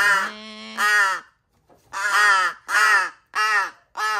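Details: Hand-reared large-billed crow chick calling while eating, rescued young bird filmed indoors on 13 August 2022; raspy, nasal cries, one long drawn note, then a pause and four shorter harsh calls in quick succession.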